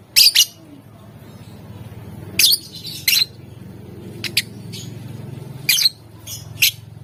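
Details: A lovebird sings vigorously to stir up rivals, in the ngetik and ngekek styles; it gives a string of sharp, very high chirps, some doubled, at irregular intervals over steady low background noise.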